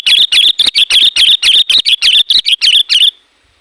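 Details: Sooty-headed bulbul calling to attract wild bulbuls. It gives a loud, fast chatter of about thirteen clipped, buzzy notes, roughly four per second, that stop abruptly after three seconds.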